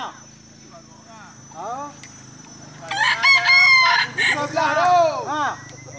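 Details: Rooster at a Dungun competition judged on the most crows; after quiet talk and soft clucking, a loud, strained crow rises and holds for about two seconds, then breaks into shorter falling notes, with men speaking in the background.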